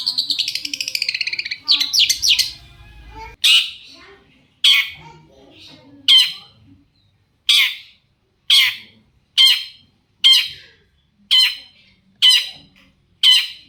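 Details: Long-tailed shrike in full song, used as a lure to make other shrikes answer: a buzzy chattering phrase gives way to loud rasping notes repeated about once a second, nine in a row.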